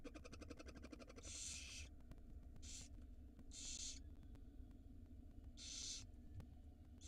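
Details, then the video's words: Tiny barn owl nestlings at feeding time in a nest box on a live camera in Israel, hatched March 2022: a quick ticking chatter, then four harsh hissing screeches about half a second each, spaced irregularly. "Barn Owl Feeding Time For the Tiny Nestlings"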